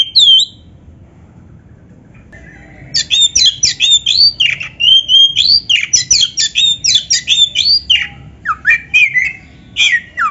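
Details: Oriental magpie-robin song meant to spur caged birds to sing back: a single whistle, a pause, then a long fast run of sharp rising and falling whistled notes over a faint hum.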